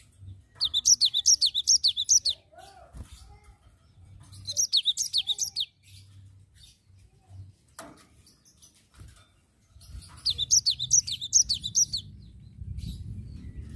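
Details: Cinereous tit in vigorous rolling song, ngerol style: three bursts of rapid, high, down-slurred whistled notes, each burst about two seconds long with pauses between, over a low steady hum.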